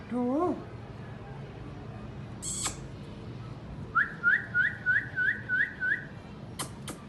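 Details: Indian ringneck parrot chirping: an opening wavering nasal call, a harsh screech, then a run of about seven short rising whistled chirps, spaced roughly every third of a second. Sharp clicks come near the end, over a low hum.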